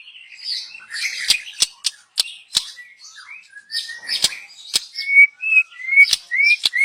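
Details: Young wild white-rumped shama, recorded for luring: scratchy warbling with many sharp clicks, ending in a series of loud rising whistles repeated about twice a second.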